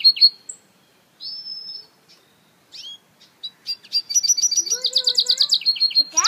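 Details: Sparse high whistles and short notes with pauses from an African citril mule, then a sudden lively run of fast trills and a rising harsh chatter.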